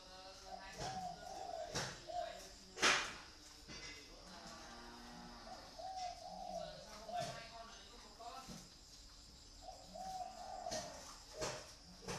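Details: Captive pet dove cooing in short trilled, bubbling phrases at intervals of a few seconds, interrupted by sharp knocks, clicks and a whip-like crack, over a steady background hum.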